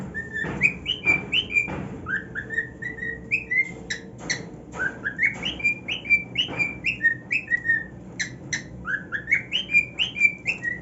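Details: Cockatiel on his new nest sings a long, varied whistled tune of swooping notes, roughly two a second, interrupted now and then by sharp clicking chirps.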